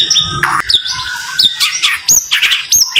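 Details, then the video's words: White-rumped shama (murai) giving tight, rapid song bursts for training: loud, varied whistles and sharp up- and down-slurred notes follow each other almost without pause, mixed with harsher squawky notes. "TEMBAKAN RAPAT BURUNG MURAI"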